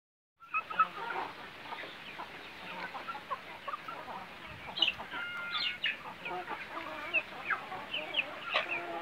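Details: A flock of Bangkok chickens on a semi-free-range farm clucks and chatters in short, overlapping bursts.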